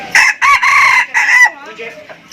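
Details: Thai native rooster crowing loudly and clearly: a harsh, strained crow in several linked segments over about a second and a half, ending in a falling tail, then quieter background voices.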